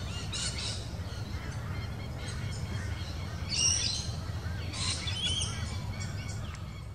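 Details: A regent bowerbird, an unusual visitor in a garden at Mudgeeraba on the Gold Coast, Queensland, gives harsh, rasping bursts of chatter a few seconds apart, with thin higher notes between, over a steady low rumble of wind.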